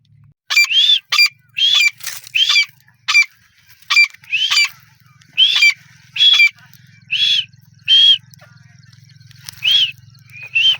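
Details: Grey francolin (teetar) calling loudly: harsh, ringing notes given in quick bursts of two or three, about one burst per second, with a low steady hum behind.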